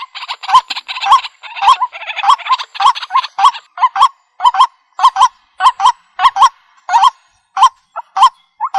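A waterhen gives harsh, nasal honking croaks, first in a fast tumbling run, then as single notes about every half second.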